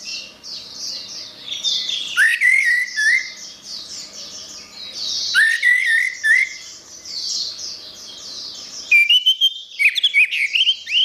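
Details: Vigorous orange-headed thrush song meant for tutoring caged birds: three loud bursts of rich, rising whistles mixed with fast twitters, separated by stretches of softer rhythmic chattering notes.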